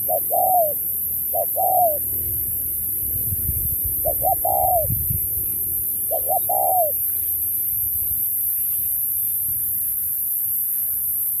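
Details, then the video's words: Spotted dove singing in a 2024 contest, Thúc style with Bo phrases: four paired phrases, each of quick short notes ending in a falling coo, then several seconds of quiet with a low background rumble. "Cọp Víp 2024, Bài lối Thúc kèm Bo tráo trở nước như chim ngoại"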